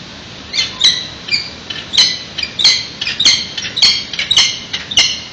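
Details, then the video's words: Peregrine falcon on the nest ledge of the San Francisco PG&E building, watched by webcam on 16 February 2017 at 8:15 am. About a dozen short, harsh, squawky notes with bright overtones come in irregular bursts over five seconds above a faint steady background hiss. "on ledge with vocalizing"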